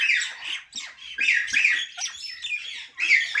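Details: Continuous scratchy parrot squawking, buzzy rasping notes running together with small dips, a louder burst near the end.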